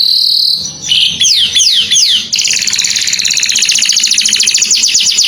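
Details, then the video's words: Canary in morning song: a held whistle, a few swooping downslurred notes, then a long fast trill of tightly repeated pulses. "O SOM DOS CANÁRIOS FAZ OUTRA EMOÇÃO DOS CANÁRIOS E ALEGRIA A VOZ DA MANHÃ"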